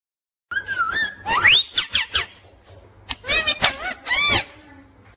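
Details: Pet parrot said to talk, saying "mummy papa"; a rapid run of squawky, strongly harmonic calls with rising and bending whistled slides, short bursts crowded together after a brief silence.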